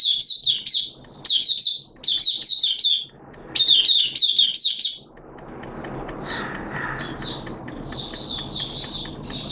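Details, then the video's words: Mata Puteh, the Oriental white-eye, caged and beginning its song on a wet, erratic-weather day, 11 September 2022: clusters of high squeaky twitters about a second long, repeated several times, then softer phrases amid hiss. "Mata Puteh T-Rex Buka Sing"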